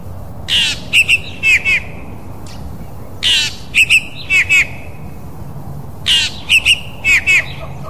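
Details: African fork-tailed drongo calling: a harsh rasping burst followed by quick twangy, metallic double notes. The phrase repeats three times, roughly every three seconds, over low background hiss.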